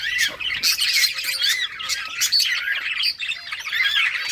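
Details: Budgerigars in a breeding colony in summer, playing and chirping: a busy layered stream of short warbling notes and harsh squawks from many birds at once, steady throughout.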